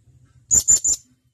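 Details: Blue-crowned hanging parrot, male, calling a mate: three sharp, piercing high whistled notes in fast succession within half a second, faint low hum behind.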